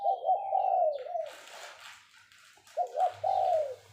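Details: Captive spotted dove kept as a decoy bird, cooing in the phao-phao calling style used to lure others: two short low hooted notes, then a longer wavering coo, pause, and the pattern repeats, with brief rustling noise between.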